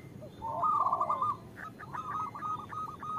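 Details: {'text': 'Female zebra dove calling the male, used to lure local birds into singing; a short rippling phrase of fast coos followed by a quieter rapid series, over a faint background hiss.'}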